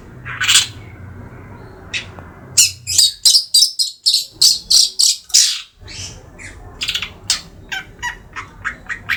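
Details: Young pet long-tailed shrike, Madura type, three months old, giving a scattering of chirps, then a fast sequence of strident scratchy notes, followed by thinner repeated chips and short whistles.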